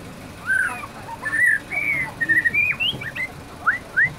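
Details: White-rumped shama, said to be easily agitated, delivering clear whistled song: rich slurred notes and short rising phrases repeated with brief pauses, fairly loud over faint background noise.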